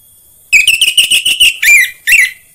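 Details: Orange-headed thrush, anis merah, played to stimulate singing: a rapid string of rasping chattering notes followed by two clear descending whistled slurs, loud and close.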